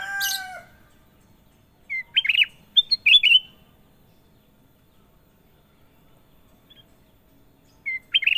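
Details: Kutilang emas, sooty-headed bulbul, singing in clear, bubbly warbled phrases of a few notes each, separated by long pauses; a different, harsher, drawn-out call is heard at the start.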